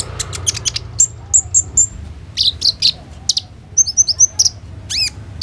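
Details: Van Hasselt's sunbird kept in a cage, recorded on a phone as a training lure: thin high tweets and short buzzy notes, a cluster of tiny twittering slurs, and a final sweeping rising-falling whistle.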